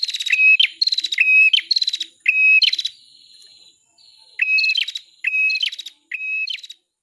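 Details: Prenjak kepala merah, the bar-winged prinia, sings for a masteran recording. Clipped phrases of buzzy rattles and high whistled notes run in two bouts. A long thin sustained whistle fills the pause between the bouts.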